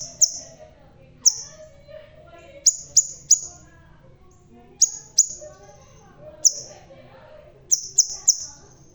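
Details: Vigorous song of a bald crimson sunbird: scattered sharp high-pitched notes, singly and in clusters of two or three, spaced irregularly across several seconds.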